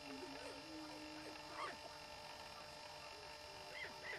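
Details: Greater prairie-chickens (Tympanuchus cupido) give a courtship booming display on a lek: a low, hollow booming moan, with sharp rising cackles and whoops breaking in over a steady background hiss.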